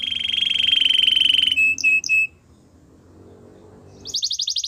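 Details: Canary singing for training: a long even rolling trill, a few short clipped notes, a quiet pause, then a bright fast buzzy trill starting near the end.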